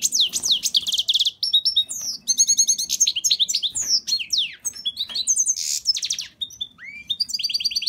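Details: Goldfinch (parva) by canary hybrid delivering a loud, lively song of descending whistled sweeps, dense trills and twittered notes, closing with a lower rising slur and a quick chatter.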